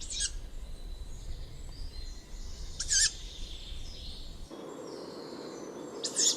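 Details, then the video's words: Juvenile tawny owl uttering three brief, wheezy, hissing screeches at roughly three-second intervals, with low rumbling background noise that shifts partway through. "canto di un allocco giovane - Juvenile Tawny Owl call"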